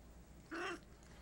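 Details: A Bolivian macaw gives one short, harsh, nasal squawk, rough and crow-like, over a quiet background hum, while being fed; he is a fast eater.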